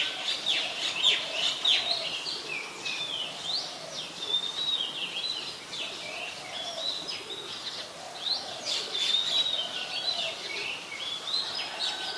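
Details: White-vented mynas (Acridotheres grandis) at Ubon Ratchathani, Thailand, on 4 January 2021, chatter in a busy, steady stream of mixed whistles, squeaks and harsh notes, several a second, with a soft background hiss; finding: Great myna.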